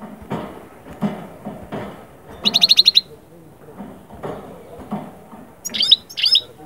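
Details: European goldfinch song played to bring birds out of moult into summer breeding mood: two short bursts of tinkling, buzzy twitters set apart by quiet stretches, with low thumps and murmuring in the background.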